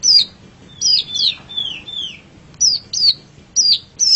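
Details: Long-tailed shrike, a pet bird, in a master song for training songbirds: sharp, high downslurred whistles in twos, with a brief series of softer falling whistled notes in the middle.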